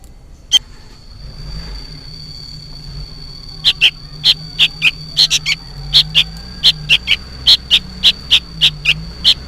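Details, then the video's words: Young sooty-headed bulbul loudly begging from its parent: one lone chirp, a pause of about three seconds, then a fast run of roughly eighteen harsh, clipped notes in uneven pairs. "suara burung kutilang anakan gacor ribut seperti memanggil induknya"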